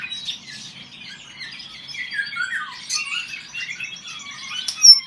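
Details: Golden oriole males trading song, clear liquid whistles gliding downward in short phrases, with a few sharp high notes and a quieter bird chorus behind.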